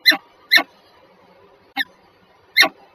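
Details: Pair of wild peregrine falcons at Żerań, Warsaw, Poland, on 14 February 2023 at 7:47: four loud, harsh, short call notes, two close together, then a pause, a softer note and one more loud note, over quiet background.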